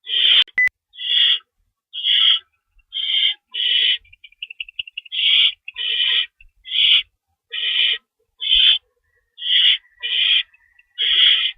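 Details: Owl screeching from a lookout at night, March 24, 2012, after it chased an unidentified owl; a long series of coarse screeches about every second, broken briefly by a thin, rapid chittering, with a sharp click at the start.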